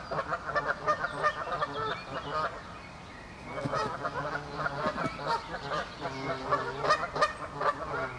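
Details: Canada geese in a territorial dispute in a forest, honking loudly and repeatedly in a dense, overlapping chorus of harsh, nasal calls with little pause between them.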